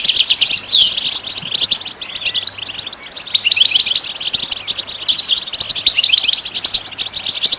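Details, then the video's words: Goldfinch singing to stimulate other birds to sing, opening with a sharp high whistled slur and then running into steady, dense twittering phrases without a break. "How do you make your bird goldfinch song in its first minute ?"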